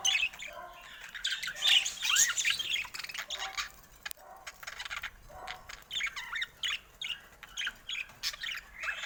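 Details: Caged budgerigars chattering with a noisy mix of squawks and rapid chirps, louder in the first seconds, then softer, choppy calls repeated over two times per second near a camera they are attacking.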